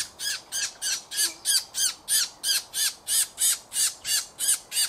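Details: Thrush nightingale, 2024: loud harsh rasping notes repeated steadily about three times per second throughout, with no other sounds.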